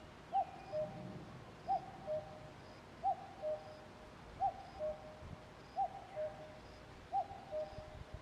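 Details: Common cuckoo repeating its falling two-note cuck-oo six times, very evenly spaced roughly every 1.4 seconds, soft and hollow, with faint distant bird chirps above.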